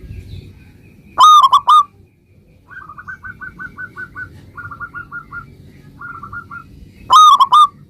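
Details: Local zebra dove singing actively, played to make other zebra doves answer at once: a loud trio of hooting coos, then fast runs of soft, even coo notes in quick series, ending with another loud trio.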